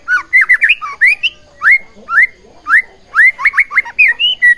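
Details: Loud white-rumped shama song played to stir up rival shamas: a continuous run of fluty, upward-slurred whistles in quick clusters, some notes doubled.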